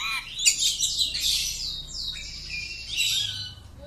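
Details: Oriental magpie-robin kept at home singing a continuous, rich, high warble of slurred whistles and buzzy trills, varied in pitch and rhythm throughout.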